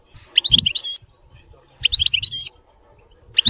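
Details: European goldfinch singing clean, mistake-free phrases: two matching bursts of bright, jangling twitters about a second and a half apart, ending in a buzzy flourish, with the start of a third phrase.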